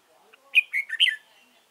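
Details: Red-whiskered bulbul used as a decoy bird for trapping, recorded 15 November 2017 in Dong Nai; a short burst of rich, warbled whistled notes in three to four quick phrases, wavering up and down.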